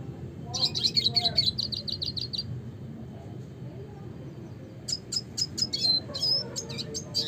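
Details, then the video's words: Red siskin (Spinus cucullatus) classic song: a fast burst of high repeated chips, a quiet pause of about two seconds, then more twittering notes and short rising whistles, over a soft low hum. "suara kicauan burung red siskin klasik gacor"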